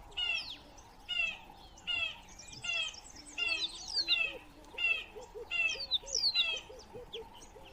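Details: Acacia pied barbet, a species native to southern Africa, on a webcam, giving bursts of nasal, downward-slurred notes roughly once a second, with soft low hooting notes repeating in the background.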